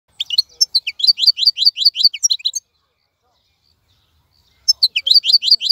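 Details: Wild-caught European goldfinch kept in a cage, singing clean and nonstop: rapid repeated high twittering phrases of sharp descending notes, one long burst, a pause of about two seconds, then another burst.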